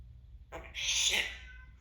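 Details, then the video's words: Timneh African grey parrot, a chatty pet indoors, gives a brief nasal note followed by a loud, harsh rasping screech lasting about half a second that fades out, over faint low hum. "African grey timnah parrot a little chatty today"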